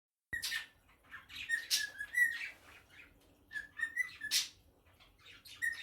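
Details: A pet cockatiel (Nymphicus hollandicus) sings a run of clear whistles broken by harsh, scratchy chatter.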